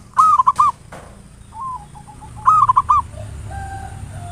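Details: Local zebra dove used as a lure to provoke singing, in the ngayer nulop style: two loud bursts of three to four rapid, clipped cooing notes, with a fainter stepped phrase between them over a low steady background hum.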